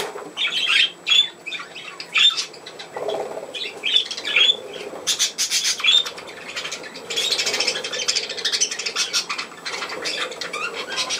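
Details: Pet budgerigars indoors keep up high, scratchy chattering and chirps, building into a dense continuous warble, with faint wing flutters and a person's voice in the background.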